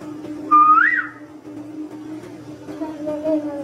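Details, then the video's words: Indian ringneck parakeet kept as a pet whistles once, a pure note rising to a peak and falling away, followed by quieter faint sounds against a constant low hum. "Ringneck parrot whistling"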